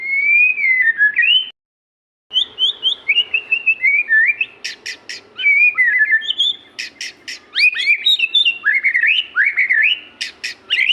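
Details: Magpie-robin in full varied song, a lively stream of slurred whistles, warbles and sharp high clicks repeated rapidly, broken by one brief silent gap.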